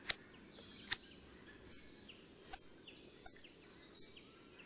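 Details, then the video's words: Hawfinch calling with sharp, high-pitched ticks spaced under a second apart, each note abrupt and clipped, with almost no background sound. "Grubodzób. Odgłosy i Dźwięki jakie wydaje Grubodzób. Jak robi Grubodzób?"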